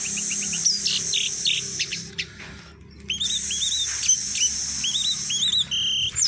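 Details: Caged orange-headed thrush song in Bali: sharp high whistled notes and quick rising slurs in lively bursts, partly over background music.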